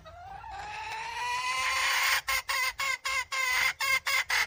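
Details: Red junglefowl hen in the wild begins with a long, slowly rising note that builds in volume, then switches into rapid, evenly spaced nasal cackles, roughly four per second.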